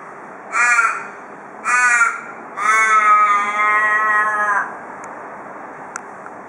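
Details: Australian raven at a house porch in Perth, Australia, with two clipped nasal caws followed by a long, steady, slightly falling wail of about two seconds, forming the "cock a doodle doo" call heard from ravens around Perth.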